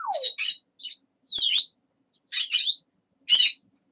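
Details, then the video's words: Chatty pet parrot talking: a brief falling whistle, then a series of short, scratchy, speech-like syllables in separate bursts about once a second, with short silent gaps between them. "長～い Talking Parrot"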